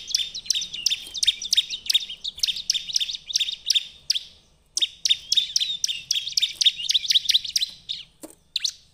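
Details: Lure recording of a Bar-winged prinia singing nonstop: rapid bright chirps tumbling in dense bursts, a brief pause near four seconds, then the chirping resumes just as fast.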